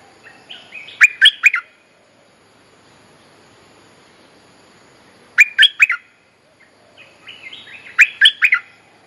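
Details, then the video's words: Mate-calling bulbul song used as a lure to teach young birds: three bursts of quick, bubbling chirped notes, each about a second long, repeated roughly every three and a half seconds, quiet between. "เสียงนกดอกแตงEp.186 เพลงเรียกคู่ หัดลูกเสอ Suara pikat merbah lekir gacor"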